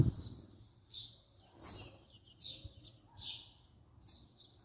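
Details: House sparrow at close range giving spaced single chirps about once a second, with a soft faint tone in the background and a knock at the start.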